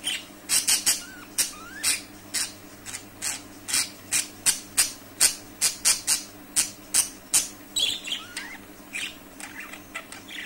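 Budgerigar chatter: scratchy, sharp chirps repeated two or three times a second, with a few quick rising whistles, over a faint steady hum.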